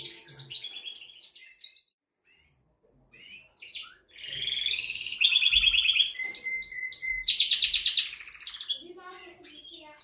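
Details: Singing male canary, used to prepare a female for mating: scattered chirps open into loud rolling trills, a level whistled tone and a harsh buzzy rattle, then fading twitters.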